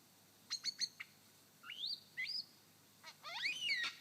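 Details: A male superb lyrebird (Menura novaehollandiae) on his dancing mound in Sherbrooke Forest Park, Victoria, mimics a blackbird: four sharp clicks, then fluty rising-and-falling whistles and a rich, tumbling warbled phrase.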